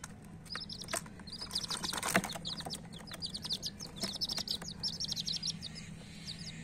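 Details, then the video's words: Coloured hen chicks chirping as a group: dense, rapid high-pitched peeps, many short overlapping notes in quick succession, with a steady low hum and some clattering knocks underneath. "chirping sounds of murgi chicks"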